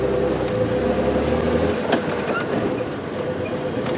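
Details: Loud engine rumble and rattling from a vehicle on an afternoon safari drive at Djuma Game Reserve, with a low hum that stops partway through.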